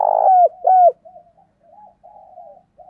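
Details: Spotted dove used as a decoy, giving a challenge call to draw wild doves; two strong, hoarse, falling coos, then a string of soft, wavering murmured notes.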